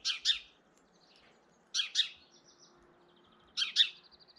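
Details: European goldfinch filmed in early April, trying to intimidate another goldfinch: harsh, buzzy double-noted calls, each pair of rasping bursts repeated roughly every 1.7 seconds, with faint thin chatter between them and a quiet background.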